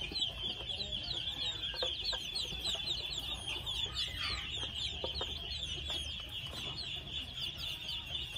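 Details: Dense chorus of thin, sliding peeps from two-month-old red junglefowl chicks, many calls overlapping against an unbroken high-pitched droning background.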